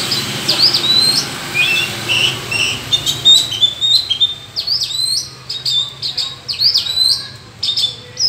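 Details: In a forest singing duel with rival birds, an Oriental magpie-robin pours out a rich, varied song of bright whistles, sharp upslurred notes and chattering bursts that grow denser and more rapid over eight seconds.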